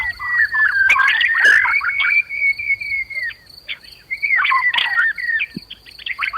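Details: White-rumped shama singing agitatedly to provoke other birds into fighting and singing; a long drawn-out whistle held steady for about two seconds, mixed with harsh clicks and chatter, over a continuous high drone.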